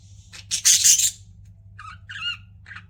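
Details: Pet budgerigar with a loud harsh screech, then a pause and three shorter nasal, buzzy chirps, over a low background hum.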